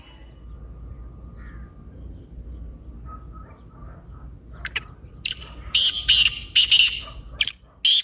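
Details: Black francolin calling, a recording meant to prompt silent or sluggish francolins to call. Five seconds of quiet low hum and faint notes, then loud harsh, grating bursts in a quick, uneven series of about six sharp chirring notes.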